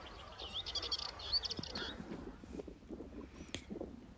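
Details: A Dartford Warbler perched atop gorse on Kelling Heath, North Norfolk heathland, gives a quick run of dry, scratchy, buzzy notes, then a single thin high note, with a man speaking quietly and some wind rumble.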